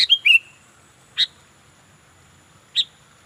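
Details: Sooty-headed bulbul singing vigorously: a quick burst of slurred, descending chirpy notes at the start, then two isolated sharp chips spaced about one and a half seconds apart against a quiet background.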